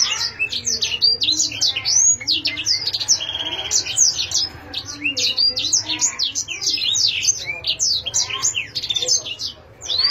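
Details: Rapid, busy canary song: tightly packed high chirps, sweeping whistled notes and buzzy rolls run almost without a break, briefly easing before the end.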